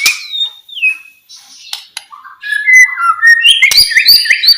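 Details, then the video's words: White-rumped shama, a bird played to stimulate quiet shamas to sing, giving a varied song: a clear falling whistle, buzzy bursts, then rapid high chirps and bright whistled notes rising toward the end, about two per second. "MURAI BATU DIEM,, PASTI NYAUT ,TERGODA DENGAR SUARA KICAUAN MURAI BATU INI"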